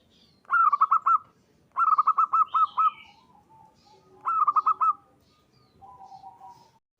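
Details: Local zebra dove giving its call to summon companions, used as a lure for other zebra doves. Three bursts of five to seven quick, bubbling coo notes, with softer drawn-out lower notes between them and one brief higher twitter.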